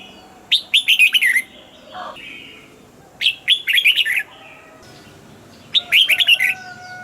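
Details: A caged red-whiskered bulbul repeats a cheerful phrase of about six rapid liquid whistles roughly every two and a half seconds, three times, with a faint lower note between phrases.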